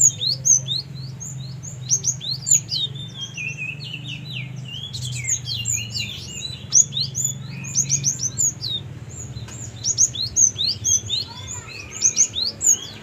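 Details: Pet Java sparrow, hand-kept since young, in lively continuous song: rapid high clicking chirps and short curling whistles in dense runs, with a few pauses and then renewed busy bursts. A low background hum runs throughout.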